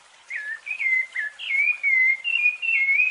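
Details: Rufous-bellied thrush giving a fluted song used as a tutor recording for young birds. Clear, flute-like whistled phrases slur up and down at a steady mid-high pitch and run almost continuously with brief gaps over three seconds, over faint background hiss.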